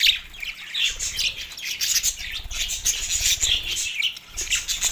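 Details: Budgerigars in a mating frenzy, Larkana, Sindh, March 9, 2024; a steady wash of high chirping and scratchy warbling from many birds, with soft low fluttering underneath.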